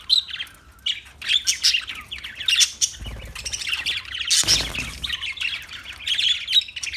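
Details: Lively parakeet chatter: rapid high chirps and scratchy squawks overlap throughout, with a brief louder rustling burst midway.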